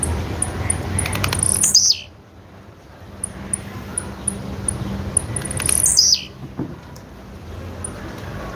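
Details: Female blue-black grassquit (tiziu) calling: a high, thin descending slur dropping quickly, given twice several seconds apart, with faint short high ticks between and low background hum.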